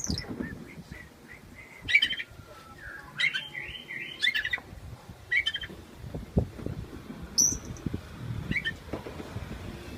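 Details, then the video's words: Caged Oriental magpie-robin singing cheerfully as its cage is shaken: scattered short chirps and sharp high notes between brief pauses, over steady low rumbling background noise. "Kacer bunyi aneh"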